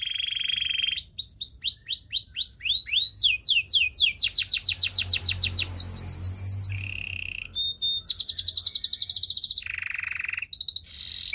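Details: Extended song of a Belgian singing canary, presented as attracting other canaries: low buzzing rolls alternate with sweeping whistles and rapid high trills, the phrases changing every few seconds.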